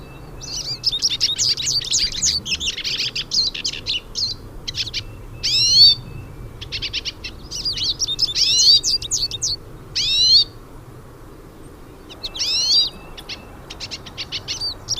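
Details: Many hooded siskins singing outdoors in nature: dense, rapid twittering with buzzy trills and high descending whistled sweeps, several overlapping phrases with brief gaps, soft background hiss.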